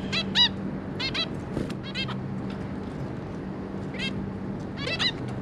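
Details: Pair of zebra finches with three juveniles, dated 26 May 2022: clear nasal trumpet-like beeps, often in doubled or tripled groups about a second apart, over a low steady hum.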